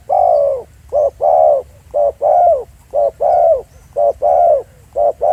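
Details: Spotted dove calling live in the field at Pha Sing: loud, mellow cooing phrases, each a short note and a longer falling coo, repeated about once a second with brief pauses; faint low rumble behind.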